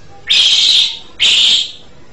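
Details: Asian pied starling, known locally as jalak suren, giving two loud, harsh, hissing screeches of about half a second each, separated by a short pause, over a low background hum.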